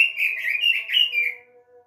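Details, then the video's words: Caged robin, lure song to prompt a kept bird to sing: a short burst of rapid, rich warbling notes that fades out, with a faint steady background hum. "pancingan burung robin"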